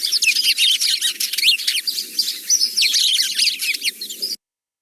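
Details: Garden sparrows, called an "argument of sparrows" because they sound flustered with each other: many overlapping short chirps and squeaky cheeps tumbling over one another, with faint low music underneath.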